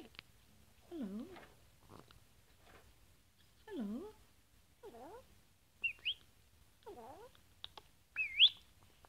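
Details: Rescued pet rainbow lorikeet without flight feathers, whispering hello while eating a honey treat indoors: soft, breathy, speech-like phrases with dipping-rising tones every second or two, plus a few sharper high squeaks.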